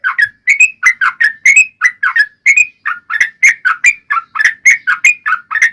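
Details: Continuous yellow-vented bulbul song for provoking other bulbuls to sing: lively, repeated bubbling whistled phrases, each a quick up-and-down slur, delivered without pause.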